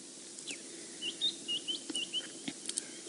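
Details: A White-browed Scrub Robin sings merrily in morning sunlight beside a drive at Djuma Game Reserve, South Africa, 21 July 2016: a run of short, high, thin whistled notes, some slurred, about two per second, over soft hiss.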